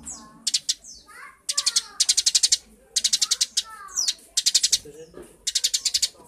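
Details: Eurasian tree sparrow song of repeated rapid, high-pitched pulsed trills, five or more harsh notes each, alternating with quick downslurred chirps, phrases following almost every second.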